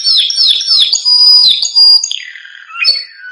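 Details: Canary song used to train young canaries: looping whistled notes that dip and rise quickly, a sustained high tone, then slower descending slurred whistles.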